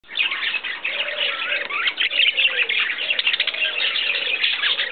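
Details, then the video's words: Pet male budgerigar feeding a female, a continuous busy chatter of scratchy warbles and chirps. "Budgies feeding"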